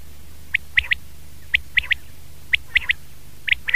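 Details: Common quail (batair) calling, three-note phrases of sharp, high liquid notes: a single note, then a quick pair. Phrases repeat about once a second, four in total, over a low steady hum. From a 2019 quail-hunting call recording.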